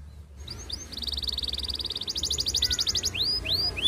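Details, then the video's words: Canary singing long rolls to court a female, a lure for other canaries: a couple of short notes, a steady high rattling trill that speeds and brightens, then rising swoops. "Kenari Gacor Panjang MERAYU BETINA Cocok Buat Pancingan Semua Jenis Kenari Biar Ikut GACOR NGEROLL"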